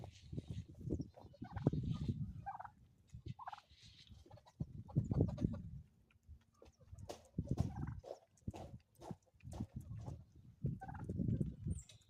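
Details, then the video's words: Chickens on a homestead in the Ozarks in the morning, giving low, soft clucks in uneven bursts with pauses between groups, plus a few brief higher notes and faint background rustling. "relaxing sounds and chickens from the homestead"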